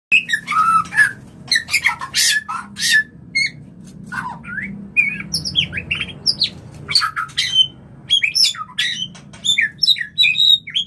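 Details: White-rumped shama mating song used to bring birds into breeding condition: scattered bright whistles and harsh chattering notes, rising and falling, broken by short pauses, with a faint low hum beneath.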